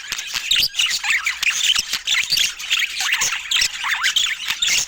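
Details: Budgerigars filmed in natural Scandinavian light give dense, busy chattering: rapid squeaky chirps and short rising and falling warbles overlap throughout, with sharp clicks in between and no music or speech.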